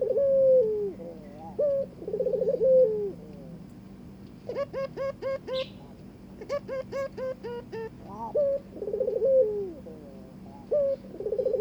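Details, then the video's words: Mating-invitation coos of a Barbary dove beside its new partner, rolled and falling, interrupted midway by two bursts of rapid bright upturned notes before the cooing resumes. "burung puter ngajak kawin"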